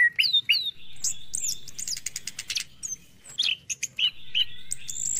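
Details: Orange-headed thrush song for morning use, to stimulate caged birds to sing. Rising whistled notes open into a fast chattering trill, followed by scattered sharp chirps and further whistles.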